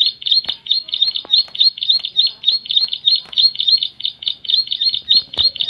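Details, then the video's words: Bar-winged prinia, known locally as ciblek, singing loudly: a rapid, steady series of high, sharp chirped notes repeated about three times per second, with faint clicks and knocks beneath. "suara nyaring burung ciblek"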